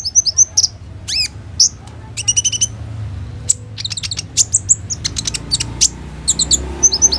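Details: Singing olive-backed sunbird used as a lure for other sunbirds, its song filled with mimicked phrases and rapid shooting rolls, phone-recorded: a fast jumble of very high chirps, steep upward sweeps and quick trills with brief pauses.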